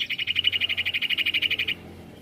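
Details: Sirtu song used to provoke other birds into singing: a fast, even trill of about twenty sharp buzzy pulses at a steady high pitch, lasting under two seconds before stopping abruptly, over a faint low hum.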